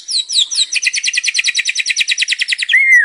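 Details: White-rumped shama singing with a full repertoire, used as a lure: a quick high trill of evenly spaced sweeping notes that descend through the phrase, ending in one clear level whistle.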